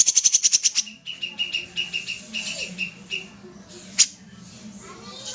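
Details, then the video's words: Common iora in lively song: a fast burst of sharp high clicks, then a run of thin, steady whistled notes repeated about twice a second, with a faint low hum underneath. "suara burung kapas tembak gacor"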